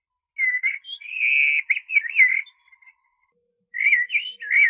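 Blackbird giving two fluty, warbled phrases at mid-high pitch, with a brief thin high note between, separated by a second of silence; no other sounds.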